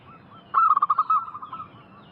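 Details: Local zebra dove in a lure recording for calling in wild doves: a loud burst of quick staccato notes lasting about a second, followed by softer trailing coos from other doves.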